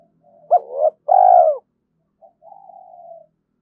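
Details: Spotted dove calling early in the morning to provoke a fight and lure: one loud phrase of a quick double note and a long swelling coo, trailed by a soft, wavering low coo.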